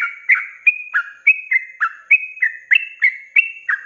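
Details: Sooty-headed bulbul in lively ropelan song, used for cage-bird training: quick paired whistled notes, a high clear note followed by a lower slurred one, repeated about three times per second.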